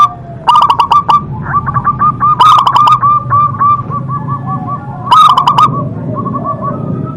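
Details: Local zebra dove calling with a powerful voice: two loud bursts of rapid ringing coos set against softer continuous runs of small repeated notes, with a faint low hum throughout.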